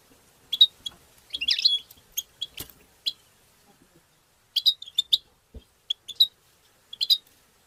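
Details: A European goldfinch giving 'batbata' chirps: crisp high ticks and a brief buzzy twitter early on, then sparse clusters of sharp chips separated by short pauses.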